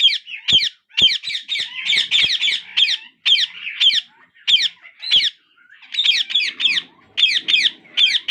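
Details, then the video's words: Hungry parakeet chicks begging for food as the father feeds them in turn: harsh, rasping squawks repeated rapidly in near-continuous bursts, a few short pauses between runs. "My parrot babies asking food for more hungry!"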